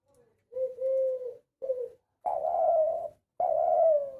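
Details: Dove called a shikari (hunter's) ghughu giving a series of clear, mellow coos: two shorter steady notes, then two longer, louder, slightly falling ones, with brief silent gaps between.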